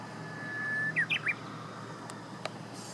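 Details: Japanese bush warbler singing on 6 June 2017 around 8 a.m.: a soft held whistle leading into three quick slurred notes, against steady broadband background hiss and a couple of faint distant clicks.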